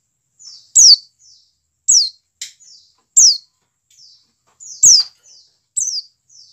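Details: 'Dakun' calling of a white-eye, meant to make captive birds open their beaks and sing: loud shrill downslurred notes about every second, each trailed by a quiet buzzy trill, with a few sharp clicks between.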